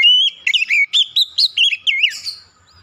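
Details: Oriental magpie-robin with clear lure song for making silent magpie-robins sing; a long sustained whistle opens into a fast string of looping, bouncy whistled notes, ending in a falling slur.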